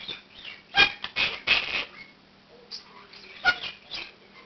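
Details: Year-old male Quaker parakeet kept indoors gives his 7 am wake-up call, practising learned words and phrases while other room birds join in; loud harsh squawks and chatter in bursts, then quieter chirps and squeaks.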